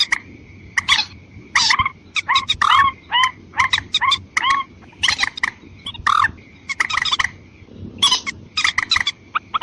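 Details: Lure recording of a watercock meant to bring in birds of both sexes. Repeated rough, croaking clucks and some curved, bubbling notes are delivered in dense bursts, with a steady thin tone and soft background noise.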